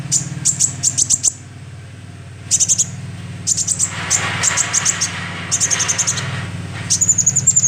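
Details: Lure recording of a young sunbird: rapid runs of thin, very high chips, clustered and repeated almost continuously, over a steady low hum and a brief rush of broadband noise midway.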